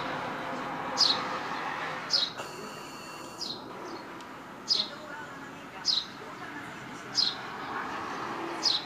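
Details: Sparrows filmed with a compact camera, giving short, high, sharp chirps, one every second or so, seven in all, over steady low background hum.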